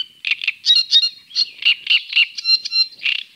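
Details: Great crested grebe with chicks recorded at the Tovačov fishponds, Czech Republic, during 2013–2014; close, continuous high piping, shrill squeaky notes and pure whistles alternating several times per second.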